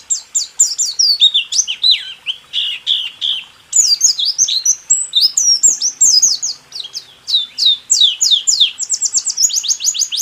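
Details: White-eye song in the 'rool tembak' style, a training recording for caged songbirds: a long, dense run of rapid, high twittering notes, mostly sliding downward, delivered almost without a break.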